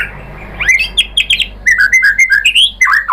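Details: Bait song of a white-rumped shama to set other birds singing: quiet start, then quick chattering whistled notes rising and falling in a lively burst.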